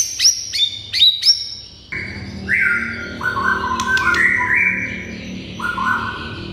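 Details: White-rumped shama song used to provoke rival shamas into replying: a burst of high sharp notes, then lower sustained whistles sliding between levels over a steady low hum.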